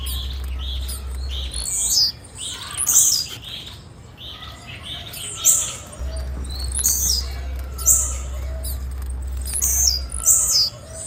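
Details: Female blue-black grassquit calling: short, high, sharp chirps, repeated roughly every two seconds, over a steady low hum.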